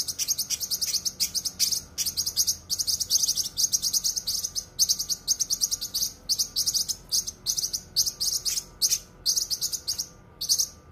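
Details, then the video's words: Lesser green leafbird (cucak kinoi) song used as a tutor recording for caged birds: a dense, rapid stream of high, sharp chirps and twitters in bursts of one to two seconds, with brief pauses. "suara masteran cucak kinoi full suara rapat tajam"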